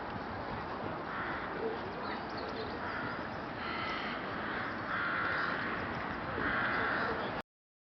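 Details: Wintering flock of rooks in Boscawen Park, Truro, on 8 January; hoarse caws build toward the end, loudest two near the close, against a steady wash of background noise before abrupt silence.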